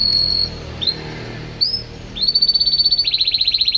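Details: Champion canary singing: a long steady high whistle, then brief upslurred notes, then a rapid buzzy trill of repeated notes that steps slightly lower near the end.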